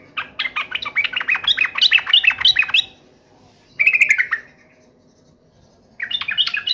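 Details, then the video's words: Agitated sooty-headed bulbul in fighting mode: a rapid three-second chattering burst of jumbled notes, a short loud slurred phrase, then another chatter begins after a gap. "trucukan gacor FULL TARUNG NGAMUK"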